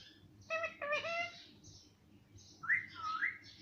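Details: Talking pet parrot, known for saying 'mummy' and 'papa', gives a short run of speech-like harmonic syllables, then two clear rising-and-falling whistled notes indoors.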